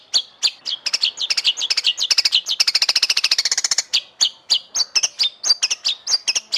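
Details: Masteran of a white-rumped shama, the Indonesian murai batu, singing judge-pleasing song: crisp slurred whistles, a quick dense rattle in the middle, then spaced ringing notes.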